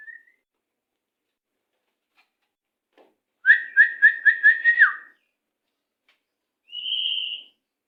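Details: Tutor recording of white-rumped shama song, 'macet sepid rapat' style for training captive birds: a rapid run of six sharp, evenly repeated whistled notes ending in a falling slur, followed after a pause by a higher sustained whistle.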